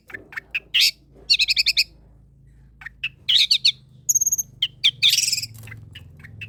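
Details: Long-tailed shrike song meant to coax lazy shrikes into singing: scattered sharp ticks, then quick runs of five or six grating notes, a high thin whistle and a dense scratchy burst, over a faint low hum.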